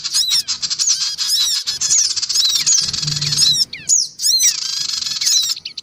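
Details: Black-winged cuckooshrike lure mix of males, females and young birds: continuous buzzy, scratchy chatter full of sharp downslurred squeaks, with short gaps around three and four seconds.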